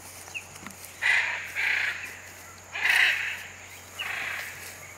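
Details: Wild hyacinth macaws in the Pantanal giving coarse, grating screeches, four main bursts spread over several seconds, with faint chirps and a constant low hum behind.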